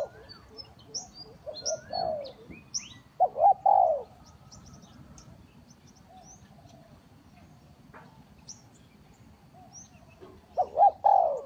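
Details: Spotted dove calling as a trapping lure: bursts of low, rolling coos at the start, middle and end separated by long quiet gaps, with sparse high twittering from small birds.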